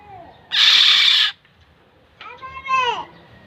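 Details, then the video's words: Black-naped oriole, known locally as kilyawan, gives a loud rasping, nasal call of about three quarters of a second; after a pause a separate clear, harmonic call slides downward. "SOUND OF BLACK-NAPED YELLOW ORIOLE/KILYAWAN"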